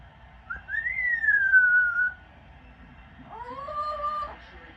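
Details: Yellow-naped amazon parrot kept as a pet, perched and making noise at night: a long, clear whistle that rises then slowly falls, followed by a lower, level, nasal harmonic call.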